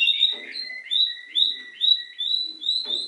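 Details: Canary mimicking another bird's song: a two-note whistled phrase, high then lower, repeated about three times a second in a steady, bouncing rhythm.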